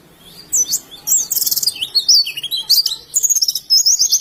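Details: Pleci (oriental white-eye) from Indonesia in ngalas singing: irregular high chirps and bursts of scratchy notes, followed by longer whistled slurs and a rapid twittering run near the end.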